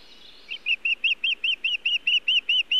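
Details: Wild osprey at its Montana nest, evening of 1 June 2017, bringing nesting material without fish: after half a second of quiet, a brisk run of about twelve clear, arched whistled cheeps, evenly spaced and loud.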